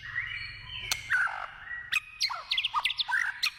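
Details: White-rumped shama singing in the wild, opening with drawn-out whistles and a downward slur, then a quick sequence of bright, jumping whistled notes and chips.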